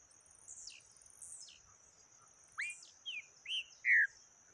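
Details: Yellow-bellied seedeater singing the taquara rachada song type: a few short upslurred and downslurred whistled notes, the last loudest, after faint high chips, over a steady high insect whine.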